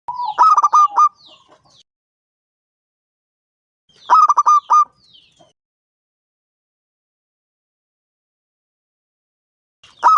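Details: Five-year-old local perkutut, or zebra dove, singing steadily with a big voice to prompt other doves to call. Three bursts of quick, clipped coos, roughly every four seconds, the last one cut short, with long quiet gaps.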